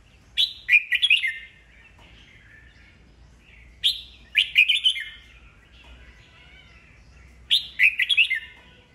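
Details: Song of an old wild-caught red-whiskered bulbul with a full voice, kept to make new birds sing back in contest. Three loud warbling phrases of tumbling, bright chirps, each lasting about a second, spaced roughly three seconds apart.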